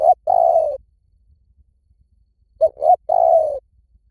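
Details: Spotted dove voice for luring birds in: two phrases, each a brief hoot or two followed by a sustained low, mellow coo that sinks slightly in pitch, separated by about two seconds of silence.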